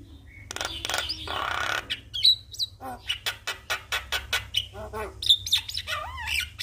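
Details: Javan myna, a bird otherwise reluctant to sing, answering a lure recording of a lively singing Javan myna: harsh rasping bursts, then a rapid series of dry clicking notes mixed with short upslurred whistles.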